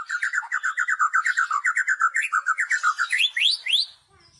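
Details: Kretekan song of the white-rumped shama, used to provoke rivals: a choppy, lower-pitched rattle repeated steadily, ending with three quick upward-sweeping whistles.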